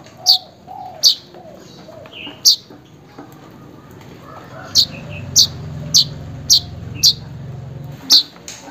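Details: Weaver calling to a rival or mate, a sound used to coax a silent bird into singing: about ten sharp, high, clipped chips, loosely spaced at first, then in a quicker series, with faint lower bird notes and background hum.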